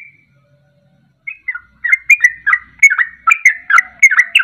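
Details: Sooty-headed bulbul ropelan, used as a lure to make birds sing along. After a near-silent start, a few scattered notes build into a quick steady string of gurgling, slurred whistles.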